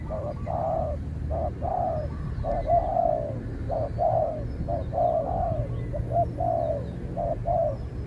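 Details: Spotted doves calling against each other as a decoy bird out on training faces a wary wild dove that keeps its distance; low mellow coos in short phrases, short notes then longer drawn-out ones, repeated about once a second, steady background hum.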